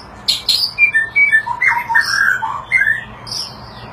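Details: White-rumped shama in full display song: a harsh high buzzy burst, then crisp whistled notes, a falling cascade of lower mellow whistles, brief slurred phrases and a final thin high squeal.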